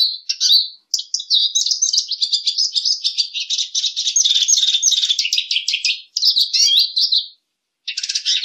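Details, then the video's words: Long, continuous lesser goldfinch song, a rapid, high tumble of chirps, buzzes and trilled notes running for about seven seconds, then a brief gap and a final buzzy phrase. "Jilguero Aliblanco Canto - Lesser Goldfinch Song - Lesser Goldfinch Call -Spinus Psaltria"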